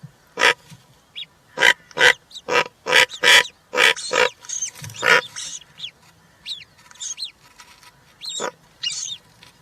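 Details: European rollers at a nest with three chicks, 20 June 2023, during feeding with a giant grasshopper; a burst of loud, harsh, rasping cracks about every half second gives way to softer, thin whistled notes.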